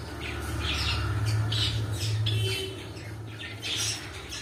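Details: Pet cockatiels giving rapid, scratchy squawks in quick succession, over a steady low electrical hum.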